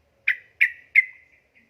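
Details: Female sooty-headed bulbul calling a male: three short, sharp notes about a third of a second apart, each trailing into a thin fading whistle.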